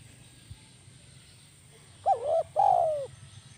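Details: One kuk 1 phrase from a spotted dove kept as a lure: two quick hooked notes running into a sustained, gently falling coo, after a quiet start with low background hum.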